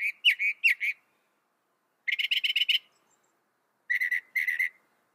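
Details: Mockingbird singing short bursts: a few slurred whistled notes, then a quick buzzy rattle, then paired clusters of rapid, even notes, separated by silent gaps.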